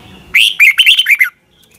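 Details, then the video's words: Red-whiskered bulbul morning song used for training birds: a single bright warbled phrase of about one second, a run of six or seven quick looping whistled notes. "Luyện chào mào hót sáng"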